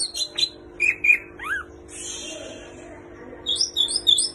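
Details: Greater green leafbird in full song mixing in kapas tembak and cililin imitations: sharp chips, two rising slurred whistles, a soft buzzy stretch, then a quick series of high sweet notes over a steady hum.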